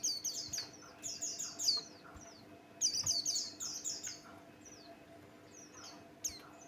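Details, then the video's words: Lure song of a lively male Buxtoni white-eye, used to get other birds singing. It produces rapid, tightly packed, shrill twittering phrases, then thinner scattered chirps toward the end. A faint steady hum runs throughout. "Burung pleci Buxtoni pancingan bikin geger"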